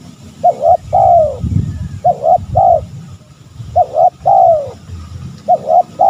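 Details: Spotted dove, used as a lure to provoke rivals: four coo phrases, each a quick two-note lead-in and a drawn-out downward coo, the last one cut short, with some low background rumble.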